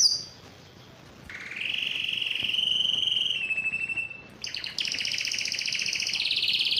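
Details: Yellow canary singing: a brief high note, a pause, then a long rapid trill held level and dropping slightly, and a bright, very high fast rattle to the end.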